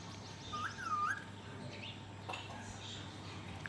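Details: A pet talking Indian ringneck (rose-ringed parakeet) gives one short, shrill, rising utterance lasting about half a second. Only a quiet room hum and a single click follow.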